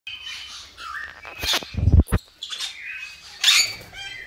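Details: African grey parrots being paired for breeding: short whistled notes with harsh squawks, plus a few low thumps near the middle that may be flapping.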